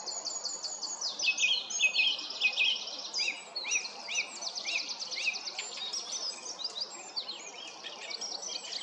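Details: Song thrush singing in the background at Stodmarsh Nature Reserve, Kent, UK, while a Little Owl falls asleep; dense run of sharp, high, rapidly repeated notes in clustered phrases, with other birdsong overlapping throughout.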